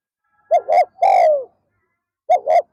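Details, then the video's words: One full phrase from a spotted dove kept as a decoy to lure wild doves in the afternoon: two short soft coos and a long, gently falling note. The next phrase starts with two more short coos. "เสียงนกเขา /นกเขาใหญ่ป่าร้อย"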